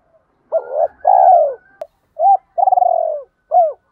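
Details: Spotted dove cooing in a fast, fight-challenging style: a short hoot, then a long, descending, grainy coo, a brief note, another rising-falling hoot and a long rolling coo. No other sounds.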